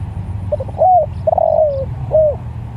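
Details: One coo phrase from a spotted dove calling to other doves: faint double introductory notes, a curved hoot, a long falling coo, and a last arched note, low rumble underneath.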